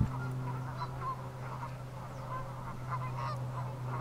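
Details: Ross's goose calls: many short, high, yelping honks overlap in quick irregular bursts, suggesting several birds calling together, over a steady low mechanical hum.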